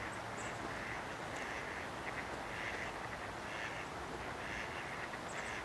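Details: Canvasback on Sechelt Marsh, Sechelt, BC, in March 2011: a series of about five rough, quacking calls repeated at a steady pace, with a continuous noisy background.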